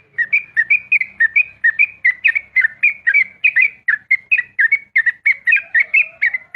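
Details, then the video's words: Sooty-headed bulbul giving a rapid dawn song: a long fast run of bright, bubbly chirped notes, each a quick rising-and-falling burst, repeated about three times a second without a break. A faint low hum lies underneath. "TrucukAn ropel subuh"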